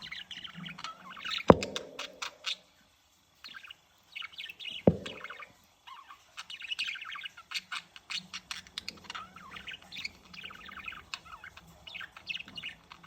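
A male budgerigar's chattering warble of rapid chirps, clicks and squeaky notes sung to court his mate.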